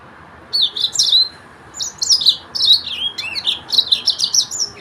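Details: Yellow-fronted canary, the Sudan or Mozambique finch, repeating clusters of high chirped and slurred notes in uneven bursts roughly every second, bright and twittering.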